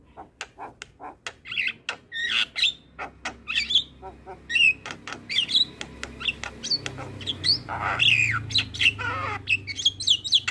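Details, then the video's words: Black-winged starling master song for training starlings, full of varied content: harsh broadband squawks mixed with whistled rising and falling notes near the upper range, delivered in rapid bursts with low background hum. "MAsteran Jalak Kebo Full isian"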